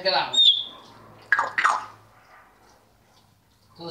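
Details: African grey parrot kept as a pet, talking indoors to order the dog out of the living room: a speech-like phrase ending in a bright whistle, then two short raspy syllables and near silence.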